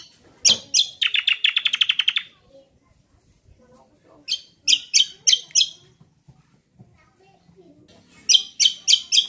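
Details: Greater green leafbird song, played to draw other birds into singing: a rapid rattling trill, then a pause, then groups of loud buzzy chips repeated several times a second, in a quiet setting.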